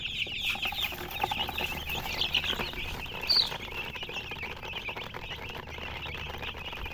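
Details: Many baby chicks cheeping together, high thin peeps in quick succession, one louder sharp peep near the middle, over faint background rumble.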